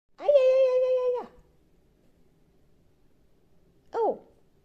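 A hooded crow gives an odd, drawn-out nasal note lasting about a second, then after a pause a short arched squawk; nothing else is heard.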